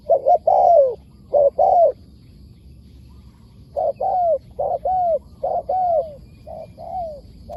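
A spotted dove gives soft, low cooing notes, each slightly arched, in short bursts of two or three with brief pauses, over a faint rural hum.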